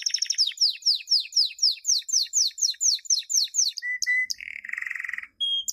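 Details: Canary song recorded in 2016 for training chicks, with about four quick descending whistles per second. It breaks into short pure whistles and a low rolled trill, then ends on a high thin note.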